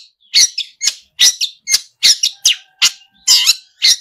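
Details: Long-tailed shrike (pentet) singing hard, its song full of borrowed phrases. Harsh, grating high notes repeat about once a second in irregular pairs, with a faint, steady thin whistle in the background.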